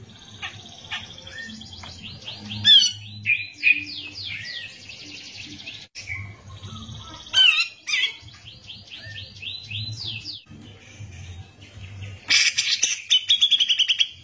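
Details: Gacor cucak jenggot (Brown-cheeked bulbul) pouring out a long, varied song of slurred whistles, squeaky upsweeps and rough notes, ending in a harsh rapid rattling burst. A faint low hum runs throughout.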